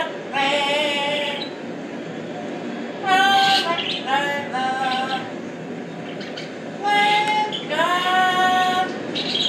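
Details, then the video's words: A pet parrot sings in English in a clear, voice-like tone, copying human song in three tuneful phrases of one to two seconds each, a few seconds apart. "ببغاء يغني باللغة الإنجليزية Parrot singing"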